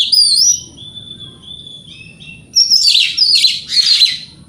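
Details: Oriental magpie-robin singing in the morning to provoke rival birds to answer: clear high whistled notes, some slurred and some held steady, then three loud harsh chattering bursts, over a faint low hum.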